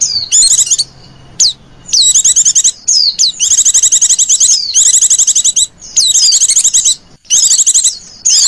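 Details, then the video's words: Lure sound for attracting wild white-eyes, made of rapid high-pitched twittering phrases broken by sharp falling notes, in roughly one-second bursts with brief pauses between. "PLECI KALIAN LEPAS ATAU ADA PLECI LIAR 😝 PUTAR SUARA INI AJA"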